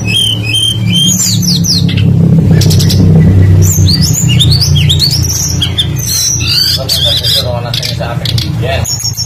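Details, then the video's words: Lure song of a tledekan songbird meant to prompt other birds to sing: a busy medley of high rising and falling whistles and chatter over a steady low musical drone. "PANCINGAN BURUNG TLEDEKAN PASTOL GACOR FULL ISIAN LANGSUNG IKUT BUNYI"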